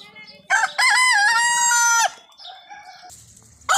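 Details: A desi rooster (Gallus gallus domesticus) gives one loud crow: a short opening note, then a long harsh held note that drops away after about a second, with the start of another crow following.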